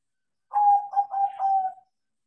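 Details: Crossbred zebra dove (perkutut), taught to sing and singing freely, delivers one smooth phrase of four joined, purring coo notes at an even mid pitch, the last note drawn out and fading.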